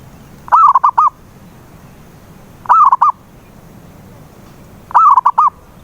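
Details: Zebra dove coo for luring a mute dove to sing, three evenly spaced phrases about two seconds apart, each a bubbling run of four quick mellow notes, over a quiet background.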